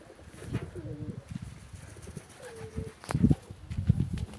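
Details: Homing pigeons, joyful on being let out, give short low cooing notes, two brief hummed phrases rising then levelling, over soft thumps and shuffling sounds.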